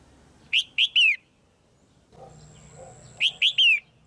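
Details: Pairing call of a female red-whiskered bulbul, given to stimulate a male: three clear, sharp chirps, the last slurred longer, repeated after a two-second pause with a thin steady high tone in between.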